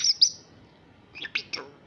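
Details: Young female common myna, a wild fledgling rescued after falling from its nest in Israel, learning to imitate Hebrew speech: two thin, high chirps, then after a pause three quick, raspy, speech-like syllables.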